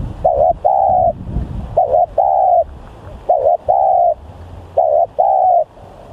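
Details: Spotted dove, recorded as a lure call, repeating a two-part cooing phrase four times about every one and a half seconds: a brief wobbling coo, then a longer steady coo, with faint low background noise.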